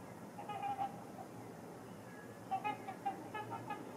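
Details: Trumpeter swans on Rush Lake ice, two pairs waiting for open water to nest, give a few soft, brassy honks in two short clusters separated by a quiet gap, over low steady background noise.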